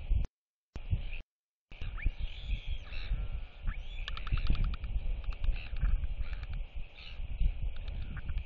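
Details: Displaying young royal albatross whistling to chicks as neighbours clack; a sliding whistle, then a dense run of rapid clacks mid-clip, with short dropouts at the start and constant wind rumble.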